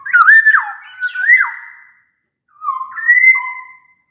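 Black-naped Oriole giving two rich, fluty whistled phrases, slurring up and down in mid pitch, separated by a short pause; no other sounds.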